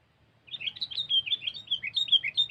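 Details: A Sooty-headed bulbul, heard in a bird-trapping lure recording, delivers a quick, steady string of clear whistled notes, each sliding down slightly, continuing for about two seconds over a faint low hum.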